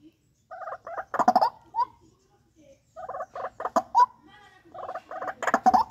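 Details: Captive-bred White-breasted waterhen giving loud, harsh croaking calls in short clustered bursts separated by brief pauses, with a few squeaky rising notes between the croaks.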